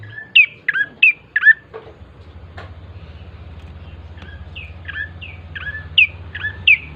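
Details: Bar-winged prinia song used as a lure to get birds singing: sharp chirps sweeping between high and mid pitch, given in quick bursts of three, a pause with faint ticks, then a longer run of paired notes.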